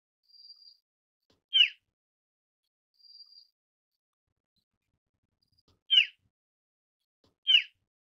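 Asian Brown Flycatcher giving three short, sharp, high notes spaced a few seconds apart, with two faint, thin, level whistles between them in a quiet setting.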